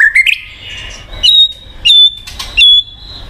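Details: White-rumped shama, used to prompt a silent bird to sing: a few short slurred notes, then three long high whistles separated by brief pauses.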